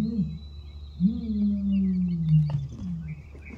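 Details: Deep, resonant ostrich boom, starting with a brief low note and then a long humming tone that slowly falls in pitch over about one and a half seconds, with faint rustling and distant chirps behind.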